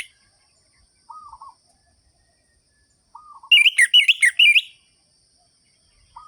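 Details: Orange-headed thrush singing gacor as a stimulus for sluggish birds: a quiet low wavering note twice, then a one-second burst of sharp, wavering high whistles repeated rapidly.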